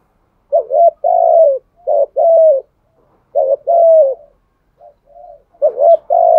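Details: Decoy spotted dove in Đồng Son voice style, cooing to lure other doves: low hollow two-part phrases, a short rising note then a longer level note sliding down, three phrases with soft faint coos between, quiet background.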